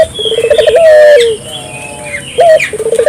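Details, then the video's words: Rapid pulsed coo run leading into a drawn-out, slightly falling note, then a short rising coo and another stuttered run, from a dove recording meant to get local doves calling; higher chirping birds sound in the background. "suara burung puter gacor,merangsang burung puter lokal ikut gacor"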